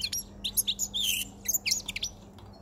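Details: A caged male European goldfinch with a white chin, caught five months before, sings near spring: a quick cluster of high twittered notes and a drawn-out buzzy trill, over a steady low hum.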